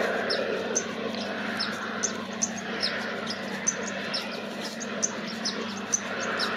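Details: White-vented Violetear at Campo Quijano, Salta, giving sharp, high chips about two or three times a second over steady rushing background hiss.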